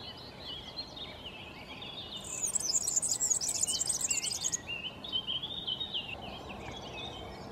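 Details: European serin giving a fast, very high, buzzy jingling trill lasting about two seconds, set among lower chirping and warbling from other birds.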